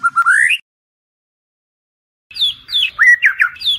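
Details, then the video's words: White-rumped shama at night, recorded to train competition birds: a rising slurred whistle, a pause, then a burst of varied high chirps and swooping notes. "Murai Batu, Pancingan Malam untuk Menjadi Fighter Sejati"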